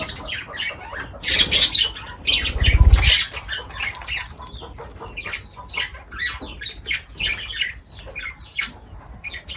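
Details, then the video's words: Pet lovebirds feeding, with a steady run of sharp, squeaky chirps about four per second and a loud muffled thump partway through. "Love birds voice sound"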